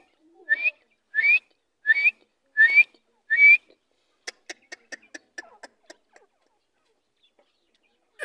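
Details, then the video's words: Large female grey francolin calling: five harsh, scratchy notes about two-thirds of a second apart, followed by a quick run of dry ticking clicks, then quiet. "arani madi ki voice/teetar ki femail voice"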